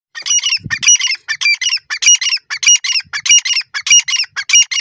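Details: Grey francolin (dakhni teetar) pair calling together: loud, harsh, rasping notes in quick rhythmic series, roughly a dozen bursts in under five seconds, with no other sounds.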